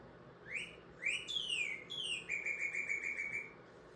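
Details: A Northern Cardinal call, likened to a car alarm: three loud, slurred whistles sweeping downward, then a quick run of about eight short, even notes on one steady pitch.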